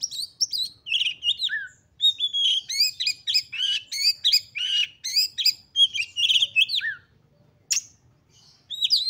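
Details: Oriental magpie-robin in full, highly excited song, used to spur other magpie-robins to sing. Fast, continuous run of varied high whistles, trills and rapid repeated chips, with a brief pause before the song resumes.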